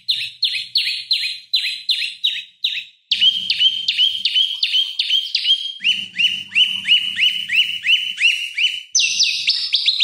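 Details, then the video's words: Lure song of an olive-backed tailorbird for training oriental magpie-robins: bright, falling chip notes repeated rapidly in runs, each run pitched differently, the later ones faster and slightly buzzy, with a faint low hum underneath. "Prenjak Lumut Gacor Bikin Lawan Emosi Masteran Pancingan Prenjak Lumut Untuk Murai Batu"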